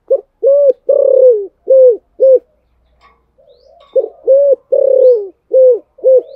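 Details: Spotted dove giving a coaxing coo in the Thổ Sấm voice style, used to stir a rival bird into singing: deep, hollow coos in two bursts of five notes, the middle note drawn out, with a short pause between bursts.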